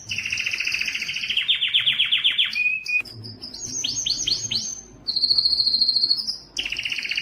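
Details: Canary song played to stimulate males to sing: rising rattled trill, a short whistle, a series of descending sweeping notes, a clear high steady tone, then trills resume.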